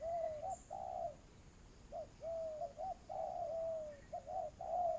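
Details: Decoy spotted dove used in trapping, giving mellow coos: a clipped note, a long level coo, then paired short notes and a drawn-out falling coo, over a soft steady background hum.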